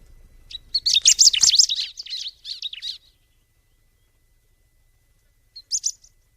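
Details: Bar-winged prinia, locally called ciblek, gives a loud run of high, rapid chirping notes for about two seconds, then silence and a short final burst of high chirps.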